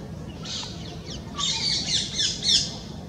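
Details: In the spring breeding season, a bird calling to attract its mate gives harsh, high squawking notes in a rapid, uneven burst, rising in intensity over a few seconds, above a low steady background rumble.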